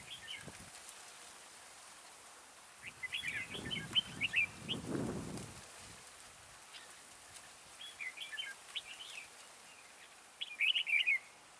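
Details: Decoy red-whiskered bulbul singing during trapping to lure other bulbuls. It gives lively bursts of fast, jumbled, chirping notes, with a loud rustling or fluttering noise partway through and a strong final burst.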